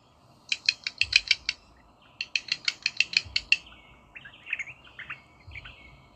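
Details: Rosella calling: two quick bursts of sharp, high chinking notes, about eight to a burst and evenly spaced, followed by softer, lower chattering notes over a faint background hiss.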